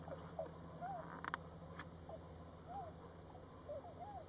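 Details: Tundra swans at Forsythe National Wildlife Refuge give soft, mellow, slightly rising-and-falling hoots, about six in four seconds from several distant birds, over a steady low rumble and a few clicks.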